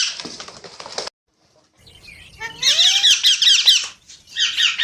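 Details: Parrot: a second of scratchy chirping, then near silence, then a rising whistle followed by loud rapid squeaky chatter and a final short burst.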